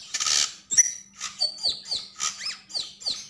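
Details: Javan grey-throated white-eye in lively gacor and ngobra song: after a harsh raspy opening, evenly spaced high chirps that slide downward, roughly three per second.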